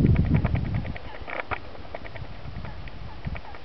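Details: About 200 common starlings gathered at their roost at Saltmarshe Delph on 19 March 2009. A dense stream of short clicking and chattering notes repeats rapidly throughout, with a few brief whistles and a heavy low rumble at the start.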